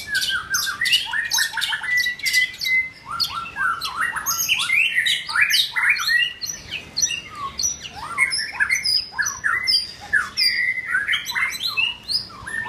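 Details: Continuous rich song from a White-rumped shama in form building: fast jumbles of sharp whistles, chirps and downslurred notes, delivered in dense phrases for over twelve seconds.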